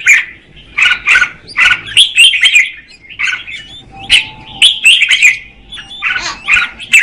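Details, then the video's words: Female red-whiskered bulbul song aimed at stimulating the male: clusters of short, ringing whistles in quick groups of two or three, with brief pauses between the clusters. "Chào mào mái hót kích trống Red-whiskered female"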